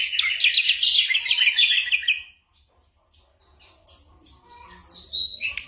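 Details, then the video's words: Song of an ashy drongo copying other birds and gunshot sounds, used to train songbirds. A dense buzzy warbled phrase for about two seconds, then near quiet with faint distant notes before a final sharp burst. "burung masteran srigunting abuabu / saeran_abu"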